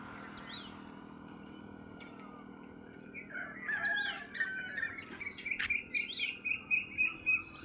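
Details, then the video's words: Sparrows in village trees in the early morning chirp in bright, short notes, building to a quick run of about three to four chirps a second, over a low rural hum. "குருவிகள்லாம் எப்படி கத்துது பார்த்தீங்களா காலையில்?"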